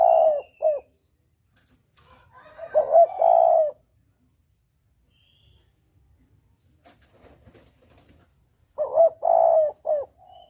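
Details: Lure recording of a spotted dove for hunting: the cooing phrase of short notes and a long coo is repeated with long gaps, and a faint rustle and clicks sound in between.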